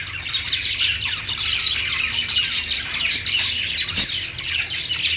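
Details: Lovebird singing and chirping: dense, continuous high-pitched chatter of rapid squeaky chirps and short squawks, steady and lively throughout, with a faint low rumble underneath.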